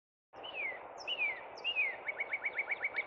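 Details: Northern cardinal singing in spring at Cub Run: three loud, clear downslurred whistles, then a quick run of about eight short rising notes, with a steady low background hiss.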